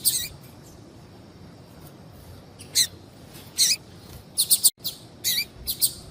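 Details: Female double-collared seedeater calling intensely to attract a male: widely spaced high, sharp chip notes, some paired, with short pauses between and a low steady background hiss.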